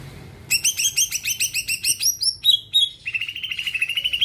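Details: Greater green leafbird in full song to stimulate other birds: a long run of quick ringing chirps, a few descending slurred notes, then a fast, thin trill.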